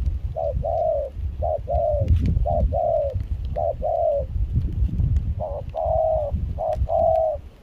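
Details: Wild-caught decoy spotted dove cooing in rain and chilly wind at Kon Tum, Vietnam, voice of mixed foreign style; soft two-part coos, brief then sustained, repeated in sets with a short pause, against gusty low wind.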